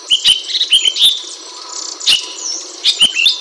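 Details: Chirping Ashy bulbul: rapid sequences of clear, high, slightly upslurred notes, three or four in a row, then a short lull before more, with clicking and faint hiss behind.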